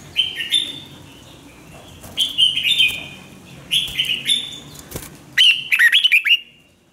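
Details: Red-whiskered bulbul in song training, quick and fiery. Four bursts of rich warbled whistles come in quick succession, the last a rapid rising-and-falling flourish. Sharp clicks and knocks sound between phrases.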